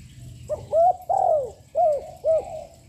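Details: Spotted dove, a young bird with a strong voice, cooing repeatedly to provoke rivals: five quick hollow coos, the third stretched and falling, over a faint low hum.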